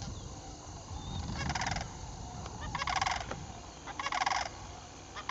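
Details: Two Sandhill Cranes joining a flock during fall migration on 7 October 2011 announce their arrival with three loud, rolling, trumpeting rattles about a second apart, over a low rumble of wind.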